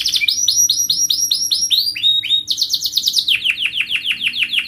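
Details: Singing canary used as a lure for young birds learning to sing: strings of loud downslurred whistled notes, about three per second, then a faster rolling series of descending sweeps with bright high harmonics.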